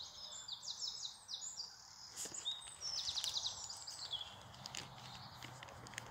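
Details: Spring birdsong in England: high rapid trills and quick chirped phrases from several birds over steady background noise.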